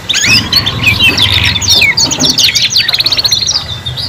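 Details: Canary song played as a three-in-one lesson for young canaries learning to sing: rapid high chirps and trilled phrases follow each other without pause, over a low steady hum.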